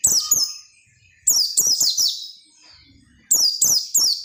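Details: Persistent oriental white-eye song meant to prompt other white-eyes to sing: bright, high chattering phrases falling in pitch, given in two bursts separated by a short quiet gap.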